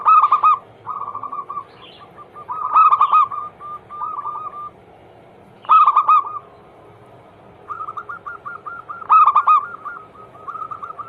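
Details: Zebra dove song used to prompt other doves to sing: loud, rough rolling phrases every few seconds, each followed by a trail of soft, rapid coos on a steady pitch.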